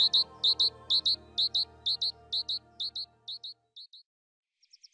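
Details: At a garden feeding site in Goch, Germany, around March 2014, a great tit sings bright two-note phrases, high and ringing, about two per second, fading after four seconds; soft background music underneath.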